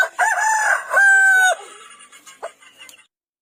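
A rooster gives one full crow: choppy, harsh opening notes that end in a long, steady held tone. Fainter echoes and noises trail off afterward.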